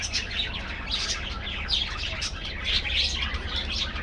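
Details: Budgies in an aviary colony chirp and warble in quick, overlapping phrases, bright squeaky notes rising and falling across the flock over a low droning background.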